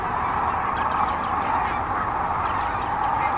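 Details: Huge spring gathering of sandhill cranes along the Platte River, central Nebraska, in mid-March 2009, staging before their northward migration. A dense, continuous wall of overlapping rolling calls comes from many distant birds, with no single voice standing out.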